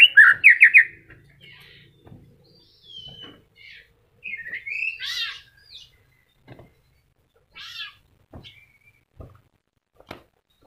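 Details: A moulting white-rumped shama opens with a loud rapid burst of whistled notes, followed by scattered softer whistles, a buzzy phrase and sparse clicks and ticks.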